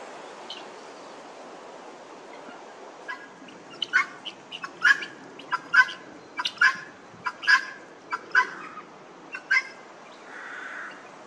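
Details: Group of helmeted guineafowl in an old churchyard in Northamptonshire, England, giving harsh, grating cackles, roughly one a second in an uneven rhythm, rising to a loud chattering run mid-clip before fading over low background rumble.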